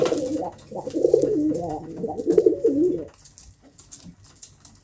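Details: A kept pigeon coos steadily for about three seconds: low, warbling, throaty notes that waver up and down in pitch, then quiet rustling and tapping follow.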